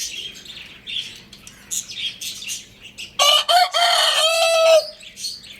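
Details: Lohmann Brown rooster crowing once, loud and raspy at first, then holding a long steady note that trails off, preceded by several seconds of thin high chirps from small birds.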